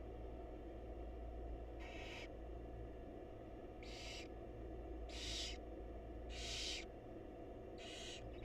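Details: Barn owl chicks being fed by their mother in a wild nest box: after a quiet start, five breathy, noisy screeches spaced about a second apart, with an unbroken low hum behind.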